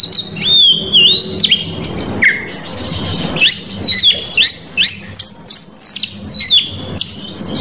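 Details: An Oriental magpie-robin in Indonesia sings a bait song to draw out rival males. Clear high whistles rise and fall, with a deep swooping note and a lower slurred note, then a steady string of short whistled phrases about one a second.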